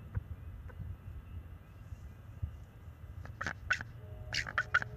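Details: Bald eagles at a nest in March, the young male vocalizing to keep a perched owl away; low rumbling quiet at first, then a quick burst of shrill, clipped chirping notes near the end.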